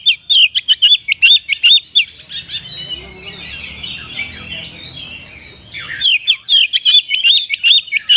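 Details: Oriental magpie-robin song with sooty-headed bulbul mimicry: fast, sharp, repeated chirps at about two per second, a softer rambling warbled middle over a low rumble, then the quick chirps return.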